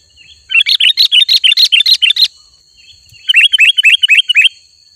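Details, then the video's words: Chatty sooty-headed bulbul song meant to draw in wild birds, given as two quick runs of bright, high, rising chirps, each run roughly a dozen notes long, with a thin steady tone behind. "Suara Burung Kutilang Gacor Asli"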